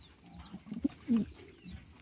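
A racing pigeon gives a short, low, throaty coo with a few soft grunting notes.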